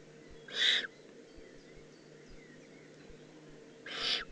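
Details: Eifel, Germany, June 2016: a young Eurasian eagle-owl gives two loud, breathy rasps about three seconds apart, each a broad hiss under a second long, against quiet low hum.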